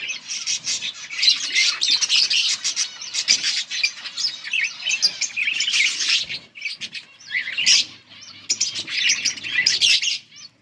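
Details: Yellow budgerigars chatter almost without pause on August 18, 2024: a dense run of high, scratchy warbles and sharp chirps from several birds at once.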